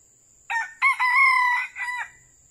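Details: Red junglefowl crowing during trapping: one crow lasting about 1.6 seconds, with two short harmonic bursts, then a long sustained level note and a shorter dropping tail. A steady thin high whine runs underneath throughout.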